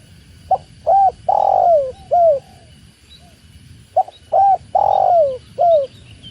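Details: Two complete phrases from a tekukur (spotted dove) by water, each a clipped note, an arched coo, a long purring fall and a final coo, separated by a pause with a faint soft note, over steady water hiss.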